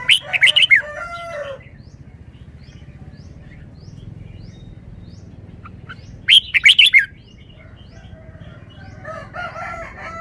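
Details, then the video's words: Caged Red-whiskered bulbul performing wild-style song: two separate loud bursts of rapid, bright warbled notes, each under a second long, spaced several seconds apart with quieter chirping between. "นกกรงหัวจุก 1033 จ้าวมาดี สำนวนดี"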